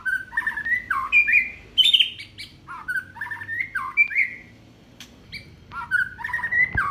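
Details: An Aceh white-rumped shama, a caged songbird, sings repeated varied whistled phrases, mellow slurs and quick notes, with brief pauses and high ticks between.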